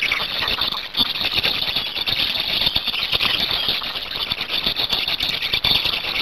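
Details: Hungarian black storks at their nest, 8 May 2019, as one adult relieves the other and the brood is fed. Unbroken high, grating squeals dominate, mixed with fast clicking pulses and a faint steady hum.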